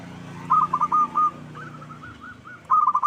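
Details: Local zebra dove lure recording for provoking rival birds to reply: short strings of fast, rolling coo notes, one louder phrase at the start and another at the end, with quieter notes between.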